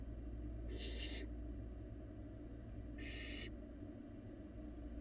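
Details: Young barn owl eating in an empty Florida nest box, live camera; two separate rasping hisses about two seconds apart, fairly soft, with steady low hum throughout.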